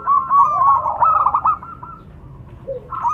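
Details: Local zebra doves exchanging calls between male and female: a short, dense run of rolling trilled coos that fades, followed by a brief low note and a new trill starting.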